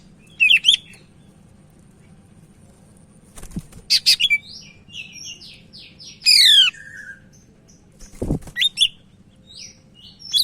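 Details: Sumatran leafbird from Medan singing actively, recorded as a tutor song for training young birds: scattered bursts of sharp, high chattering notes and rapid buzzy trills with pauses between phrases, over a steady low hum.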